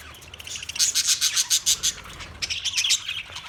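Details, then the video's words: Australian parrots, recorded March 15, 2024, giving a series of harsh, shrill screeches in rapid rhythmic bursts, roughly five per second, then a second tighter burst of squawks after a short pause. "Sounds of Australian Parrots"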